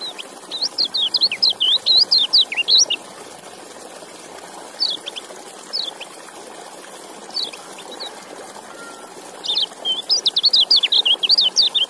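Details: White-eye, called kecial, sings repeated bursts of rapid high twittering notes separated by pauses of several seconds, with a few isolated chips between, over a constant watery background hiss.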